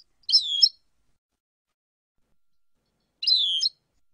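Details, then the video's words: Goldfinch song phrase chosen by song experts: two identical half-second buzzy, rolling trills with a nasal, wheezy quality, spaced about three seconds apart in otherwise silent surroundings. "goldfinch songs - (chants) - شريط كامل تغريد مقاطع الحسون"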